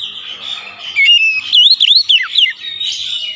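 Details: Magpie-robin song meant to coax a lazy bird into singing, a burst of high, looping whistles with rapid up-and-down slurs and a final downward sweep, over a steady high background hiss.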